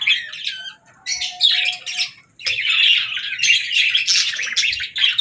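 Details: Budgie song: rapid, gurgling chatter with scratchy notes and sharp squeaks, a short gap after the opening phrase, then a longer sustained warble to the end.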